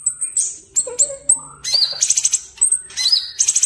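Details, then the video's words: Sooty-headed bulbul in active, lively song used as a vocal tutor: high thin whistles and sharp chirps, with short downslurred notes and buzzy trills in irregular bursts. "Cucak Cungkok Gacor, Guru Vokal Handal"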